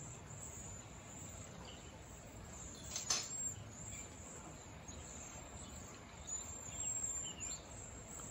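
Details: A wild flock of cedar waxwings gives a steady wash of very high, thin, lisping whistles and chirps; a single sharp knock sounds partway through over a soft background hiss.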